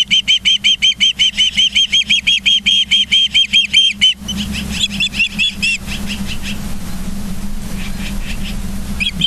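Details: Ospreys on a live nature cam in Charlo, Montana, 24 August 2023, 09:29: a quick string of high, piercing whistled chirps for about four seconds, then a few scattered calls over rougher rushing background noise and a low hum.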